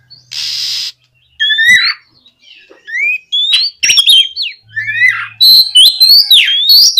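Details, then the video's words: Oriental magpie-robin song used to coax other magpie-robins into singing; a brief hissy burst, then varied whistled slurs and sharp chirps building into a dense, fast final stretch. "SUARA BURUNG KACER GACOR NGEPLONG BUAT MEMANCING KACER BAHAN AGAR LEKAS BUNYI NYAUT & GACOR!"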